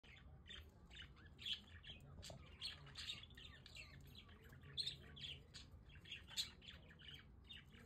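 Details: Pet budgerigars on a balcony in The Hague, enjoying good weather, give scattered, busy chirps and short warbled notes over a soft low background hum, with a faint voice present.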